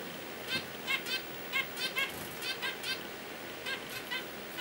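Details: Ten-day-old zebra finch nestlings, eyes open and wing feathers grown, looking out of the nest: rapid buzzy high begging notes repeated roughly every half second in uneven clusters, faint room hiss beneath.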